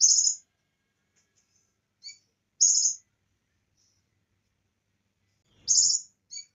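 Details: Bar-winged prinia, a bird-training master recording mixed with cililin song; three high buzzy trilled bursts, each about half a second, spaced two to three seconds apart, with faint short chips between, otherwise silent.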